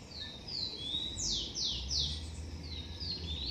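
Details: Blond-crested woodpecker near its nest in a garden, giving a series of clear, high whistles. Flat notes give way to three strong, sharply falling slurs, then softer flat whistles, against faint background hum.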